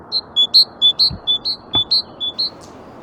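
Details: Great Tit song: clear whistled notes alternating between a higher and a slightly lower pitch, a steady two-note see-saw repeated about eleven times in three seconds, over quiet low background rumble.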